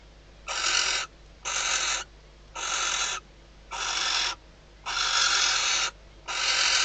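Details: At night in an Ebro Delta nest box, a female barn owl answers the male's arrival at the outside perch before mating. Six to seven rough, noisy hisses, each under a second, repeated steadily.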